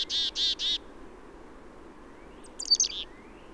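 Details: In a southern Maine backyard in late March (early spring), a Black-capped Chickadee gives its chickadee-dee-dee call: three quick, buzzy, harsh 'dee' notes, then a brief high, sharp burst of notes after a short pause.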